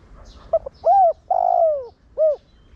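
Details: Decoy spotted dove giving its 'Thổ Đồng' style coo to get other doves cooing; phrase of two brief notes, an arched coo, a long descending buzzy coo and one short closing coo.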